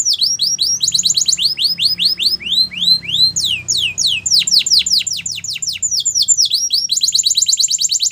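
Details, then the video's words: Belgian canary singing to train young canaries, a loud continuous run of high sweeping chirps in quick series, shifting between descending notes, rising slurs and rapid rattling trills. "Canary Singing For Training | Belgian Canary Singing"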